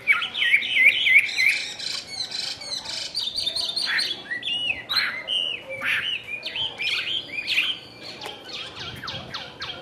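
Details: Chinese hwamei held in a cage, tail fanned, giving varied whistled and chattering phrases, opening with quick repeated rising whistles, then scattered sharp notes against faint background noise.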